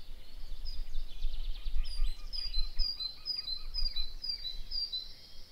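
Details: Yellow wagtail in the Teterev River valley gives a quick run of about eight thin, high, sharp notes, roughly two per second, over a steady low rumble of wind.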